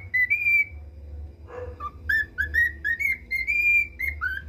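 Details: Pet male cockatiel, still learning the national anthem, whistles a held rising note, a pause with a faint rasp, then a rapid tune of nine or ten bright whistled notes, some curving downward.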